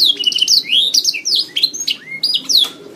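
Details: A master track for training songbirds: canary song with densely packed high chirps, quick trills and looping whistled sweeps, including one longer rising-then-falling note near the end.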